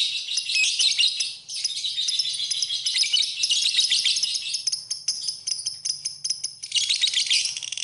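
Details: Lovebird song for training birds: high, rapid chattering with brief dips in loudness, a short lull after about a second and a half, then bursts of squeaky twittering resume.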